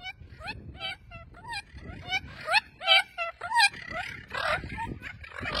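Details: Captive Spix's macaws, also called little blue macaws, at a breeding farm: harsh, rising, nasal squawks repeated about every half second, several overlapping toward the end, with light background noise.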